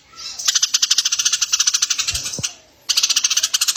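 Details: Eurasian tree sparrow, recorded for training competition birds: a long, fast train of shrill, clicking chirps lasting two seconds, then silence, then another quick burst.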